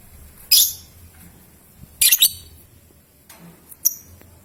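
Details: Young lovebird recorded as a lure to draw long ngekek and ngetik trills from other lovebirds; three shrill, harsh, very high chirps spaced over about four seconds, with quiet low hum behind.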